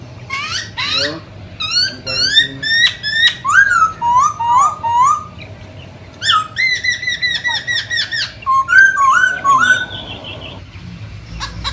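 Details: Wild masked laughingthrush (poksay hongkong) delivering a busy, loud song of rapid chirps, twisting whistles and repeated slurred phrases, with a steady faint hum beneath.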